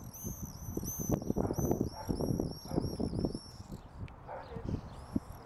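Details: Non-breeding common swifts (Apus apus), "bangers" at under-eave nest boxes behind a house on 16 June 2014, give thin, arched high calls every half second or so over heavy low thumping and rumbling.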